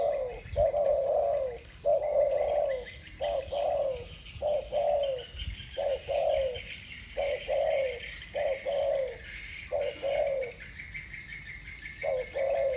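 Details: Spotted doves, two birds dueling in the thổ bầu song style. They give a steady run of about a dozen short, hollow coos, roughly one each second, over constant high insect-like buzzing and faint twittering.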